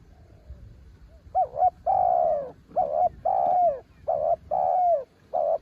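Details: Spotted dove, described as a mountain bird, singing in the ต่อกิ่ง style: after a soft lead-in, a run of loud, hollow coos, some short and doubled, some drawn out with a downward bend at the end, against a quiet background.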